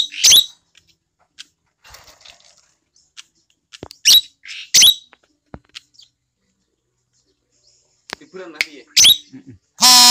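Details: Asian glossy starling, a tame chatty bird with a clear, shrill voice: isolated sharp whistled notes and squeaks spaced a few seconds apart over near silence, ending in a harsh nasal buzzy note.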